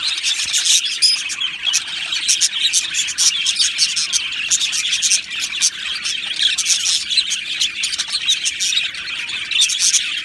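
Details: Singing budgerigars, an Australian parrot colony housed in an aviary: continuous rapid twittering and warbled chirps from many birds, steady in loudness over ten seconds.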